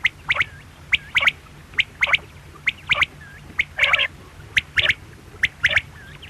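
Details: Quail calling: a sharp, clipped note followed by a quick double note, the three-part phrase repeated roughly once a second, with a soft mewing sound near four seconds.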